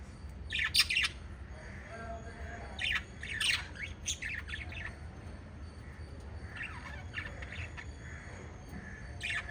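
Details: Five pet lovebirds chirping: short, shrill, high chirps come in brief clusters about every one to two seconds. Quieter gaps between bursts carry a low steady background hum.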